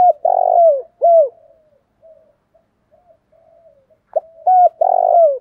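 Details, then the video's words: Spotted dove, 'thổ dồn thúc đầu' style call meant to stimulate decoys: two phrases, each a brief note, an even coo and a long raspy purring coo falling at the end, separated by faint soft cooing. "tieng cu gay tho dong thuc dau thuc dau"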